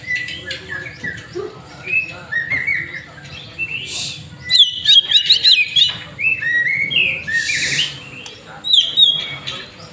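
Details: White-rumped shama, master-trained, giving a lure song: mixed whistles and chirps building to loud clusters of sharp, quick high notes around the middle, then scattered slurred whistles, with low background hum.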